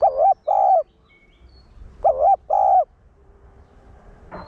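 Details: Caged spotted dove used as a lure, one-ending coo meant to excite other males: two double-note phrases, a quavering note then a smooth sustained one, separated by a pause; a faint hum and a short click at the close.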